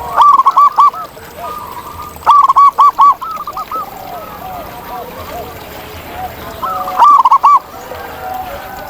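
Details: Wild zebra dove singing in nature: bursts of rapid, staccato, bubbling cooing notes at a steady mid pitch, with phrases near the start, after two seconds and around seven seconds, and softer, lower-level coos in between.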